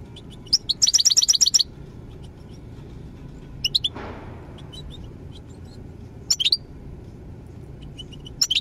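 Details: European goldfinch song: short bursts of bright, tinkling twitters, one quick rippling run of high notes followed by scattered chirps, over a steady low rumbling background noise.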